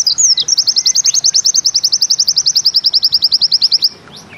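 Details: Pleci bustomi white-eye singing in the 'nembak ziperrr' style, said to be easy to imitate: a fast, even run of about forty high, sharp repeated notes over roughly four seconds, opening with a few thin rising whistles.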